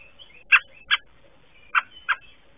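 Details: Nearby American robin in Southern Ontario, Canada, calling while a female returning to her nest listens: four sharp, loud chirped notes in two pairs, each pair about a third of a second apart, with faint thin whistles between.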